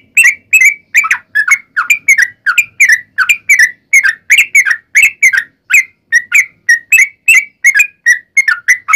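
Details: Sooty-headed bulbul singing rapid fighting song, a lure to make other bulbuls reply: steady rattle of short, clear, downslurred chirps, roughly three per second, close and loud without other sounds.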